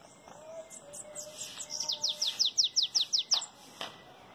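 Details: A bananaquit delivers its belga chapado song. Scattered thin notes build into a regular series of about nine crisp, high, descending notes, followed by a couple of isolated clicks.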